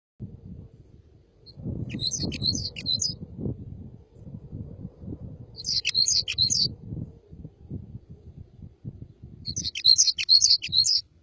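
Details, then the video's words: Red crossbill singing: three short bursts of rapid, high chirping notes, each about a second long, spaced roughly four seconds apart, over a steady low rumble of background noise. "تغريد طائر الهزار red crossbill singing"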